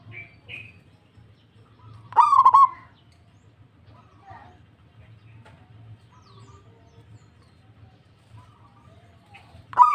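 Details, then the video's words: Local zebra dove replying, with one clear stuttering coo phrase of rapid pulses in the early part and the start of another at the very end; faint chirps and soft murmurs fill the quiet between. "PERKUTUT LANGSUNG NYAHUT PERKUTUT LOKAL GACOR DOR DOR DOR"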